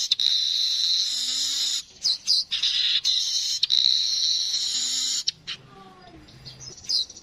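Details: Streaked weaver: long, high, hissing buzzes are broken by short gaps and squeaky twangs. The song ends in scattered clicks and a final brief buzz.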